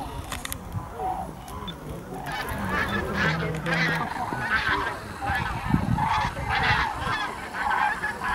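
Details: Flock of common cranes arriving to roost for the night at Rehdener Geestmoor nature reserve near Diepholz, Germany, 8 November 2014, giving loud, rolling overlapping trumpeting calls nearly twice a second, with a low murmur of more birds behind.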